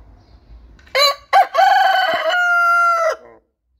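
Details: Galo índio rooster gives a crow that opens with two short clipped bursts, then a long sustained harsh note held steady for about a second and a half before cutting off. Faint low rumble sits underneath.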